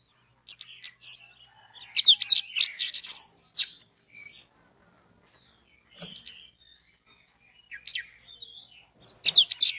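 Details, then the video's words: Orange-headed thrush song used as a lure to make other orange-headed thrushes sing: clusters of high, sharp chirps and rapid warbled phrases, a silent gap near four seconds, then scattered notes and a final burst of high twitters. "DENGAN SUARA ANIS MERAH INI 99% ANIS MERAH AUTO BUNYI DAN SINGSET"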